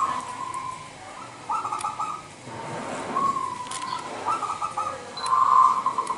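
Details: Local Indonesian zebra dove, a wild bird singing often, recorded to lure and provoke other zebra doves; several rolling trilled coo phrases spaced a second or two apart, growing louder toward the end, light hiss behind.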